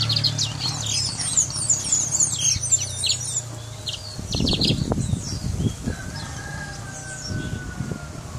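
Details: Brown mustache finch from Guyana singing: a fast run of high twittering, warbled notes for about three seconds, then lower rustling and knocking noises with only scattered faint notes.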